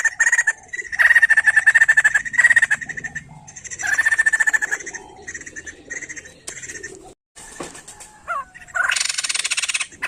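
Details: White-crested laughingthrush song used to stimulate other songbirds: several bursts of fast, pulsed cackling notes, then scattered shorter calls and clicks, ending in a harsh hissing burst.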